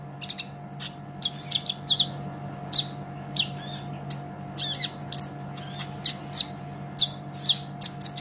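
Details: Olive-backed sunbird singing vigorously, a master recording for tutoring songbirds: thin, very high chirps and short twittered phrases in uneven bursts, with a steady low electrical hum underneath.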